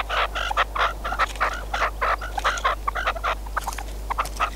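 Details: Partridge kept as a hunting decoy, during a hunt: loud, harsh, clucking notes repeated in a fast, uneven series of about one and a half per second, with a steady low hum underneath.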